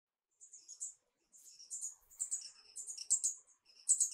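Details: Marvelous Spatuletail hummingbird, Loddigesia mirabilis, endemic to Peru: short bursts of very high, thin, squeaky chips in quick clusters, starting after a brief silence and growing louder toward the end, with a quiet background.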